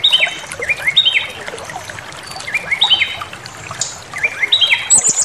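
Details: Brown-chested jungle flycatcher song used as a provocation lure: short bright whistled phrases, some upslurred and doubled, repeated about every second with brief pauses, over a soft trickling background.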